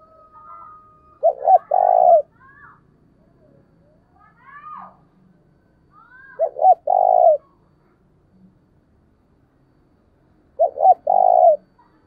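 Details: Spotted dove 'thúc bổi' call to rouse a decoy bird. Three throaty cooing phrases arrive several seconds apart. Each is a short note then a longer rolled coo. Faint chirps and thin whistles from other birds sound between them.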